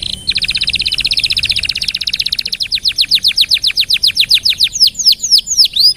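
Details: Canary in extended continuous song, offered as a model for all birds to learn from: a dense fast trill gradually slowing into distinct descending whistles and looping swoops near the end.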